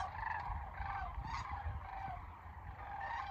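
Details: Sandhill cranes at Kearney, Nebraska, on March 28, 2022: several rolling, trilled calls overlap near the middle range with wavering pitch, over steady low rumbling background noise.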